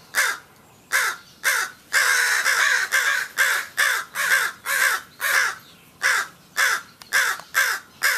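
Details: Crows calling in alarm in a back yard as a person nears the back door, with an injured crow and three others agitated. Harsh, loud caws come about twice a second in a steady series, some run together.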